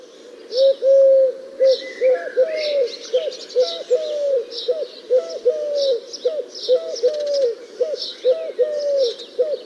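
A Eurasian collared dove gives low, soft, three-part coos, repeated steadily, while small birds chirp and twitter higher up in the background.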